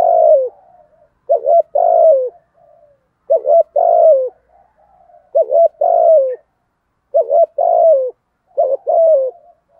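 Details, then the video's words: Spotted dove lure bird of the 'thổ' voice style: about six coo phrases, each two quick throaty notes and a longer falling coo, roughly every one and a half seconds, against a quiet background. "cu gáy giọng thổ thúc gù đẹp mã hót hay"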